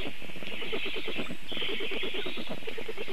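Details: At a nest in Ogre municipality, Vidzeme, Latvia, on 23 June 2024, Black stork chicks beg as their father brings breakfast. They give rapid, hoarse, pulsing calls several times a second over a steady hiss and low rumble.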